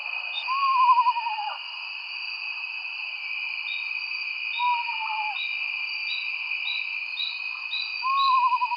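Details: Eastern Screech-Owl, common in the northeastern US, gives a quavering, descending whinny like a tiny horse, three times over nine seconds, over steady high insect-like tones and faint repeated chirps.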